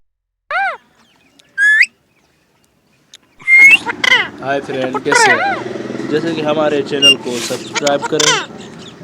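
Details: Parrot talking: two short, clear, arched harmonic calls separated by silence, then after a pause a dense run of chattering, warbling and squawk-like sounds with rapid rising and falling pitch continuing to the end.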